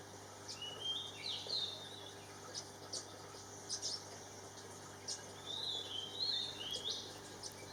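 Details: A female ornate (olive-backed) sunbird drinking and bathing in a Thai garden gives two bursts of thin, high twittering notes that slide up and down, with sharp ticks scattered between and faint splashing water.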